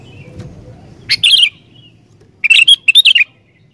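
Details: Bubbly song of a sooty-headed bulbul, used to spur wild bulbuls into song: one rolling whistled phrase, then a rapid cluster of bright chirps in quick succession.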